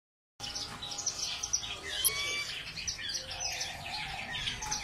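Gouldian finches give a busy stream of thin, high chirps and short twitters, overlapping from several birds, over a faint background hum.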